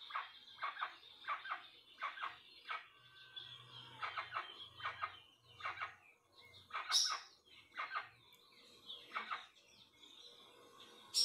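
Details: Rusty-margined guan song: clusters of rough, repeated notes separated by short pauses, plus sharp high clicks and a low hum in places.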